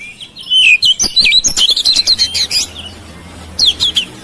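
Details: Home-kept oriental magpie-robin singing to provoke song from silent birds: a fast burst of varied, twittering whistled notes and chirps for about two seconds, then a brief second phrase after a pause.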